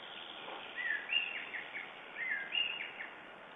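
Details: Lesser spotted eagle in Estonia, morning of 9 June 2011, giving two bouts of high yelping notes, each a rising whistle followed by short downward slurs, against a steady hissing background.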